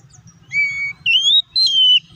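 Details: An oriental magpie-robin, recorded as a lure to provoke other magpie-robins into responding and singing, gives three clear, sweet whistles, one steady and low, then two higher and slightly wavering, each about half a second long.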